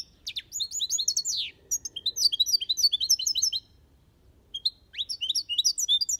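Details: European goldfinch in an aviary singing the Malaga copy style: rapid twittering phrases of high, liquid chirps and trills, a burst, a pause near four seconds, then another run of bright notes.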